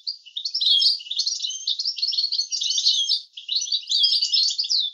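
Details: European goldfinch in a clean teaching recording of an approved song 'language': sustained, busy tinkling twitter with quick slurred notes, broken by one short pause, nothing else audible.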